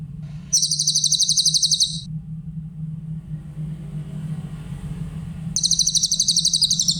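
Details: Grey-headed canary-flycatcher singing in a clear voice as a training recording for songbirds: two quick, high-pitched trills of regular pulses, a few seconds apart, over a constant low drone.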